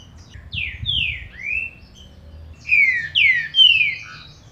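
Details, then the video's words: Song of a green-winged saltator meant to warm up a caged bird: three rich falling and rising whistles, a brief gap, then three more bright downslurred whistles ending with a lower short note. "PARA ESQUENTAR MEU TRINCA FERRO"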